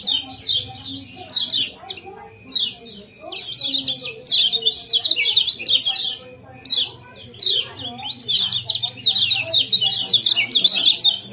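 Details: Kecial kuning chirping in a 'ciak-ciak' and 'jos' combination for bringing birds into breeding condition: clusters of quick, high, downslurred notes alternating with short pauses, beneath a continuous thin high whine.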